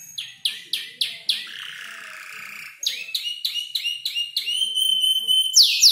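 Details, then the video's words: Five-month-old canary still arranging its song, mimicking tutor birds such as the ciblek and prenjak: a run of sharp descending chirps, a brief pause, then rapid rising notes and high pure whistles. "Kicau burung kenari gacor noto lagu U 5 bulan"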